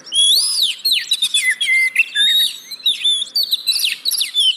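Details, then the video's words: Oriental magpie-robin (kacer) song used as a lure to coax reluctant caged birds into singing: rich, rapid whistled phrases with rising and falling slurs and sharp chirps, delivered almost continuously with brief gaps. "Pancingan Burung Kacer Yang Malas Bunyi"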